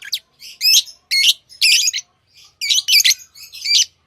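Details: Lovebirds chirping: loud, harsh, buzzy high-pitched chirps and squawks in short bursts of roughly two per second, separated by brief silent gaps, with no other sounds.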